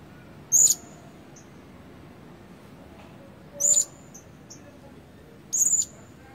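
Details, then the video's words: Blue-crowned hanging parrot kept as a decoy bird for luring others, not yet in full voice; three short, thin, very high squeaky notes spaced about two to three seconds apart, with soft faint extra peeps between them over quiet background hiss. "Denak Pemikat Burung Serindit Dada Merah Belum Penuh Cuba Suara"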